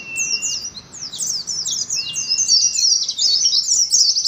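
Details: Oriental white-eye delivering ngalas song. Quick high chirps grow denser and louder toward the end, over a thin, steady whistle at the start.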